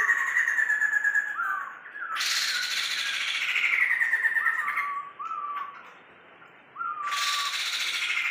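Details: Tame caged Sumatran laughingthrush, kept 20 years and singing actively, alternates loud buzzy rattling chatter with short whistled downslurred notes, the rattles lasting several seconds and returning after a brief quiet gap.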